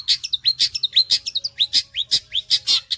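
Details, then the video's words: A Long-tailed shrike sings hard in rapid sewing-machine style, with loud harsh bursts alternating with curved, rising and falling whistled notes, about four sounds every second. "CENDET GACOR MATERI TOP BOLO SPITNYA SPEK MESIN JAHIT"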